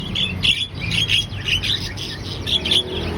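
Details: Javan myna singing vigorously: bright chirps and squawky notes repeated several times a second, with a steady low hum underneath.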